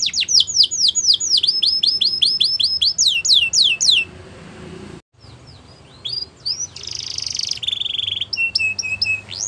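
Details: Canary singing a few seconds of rapid falling-note trills, then a near-silent pause, followed by softer scattered notes and brief buzzy bursts.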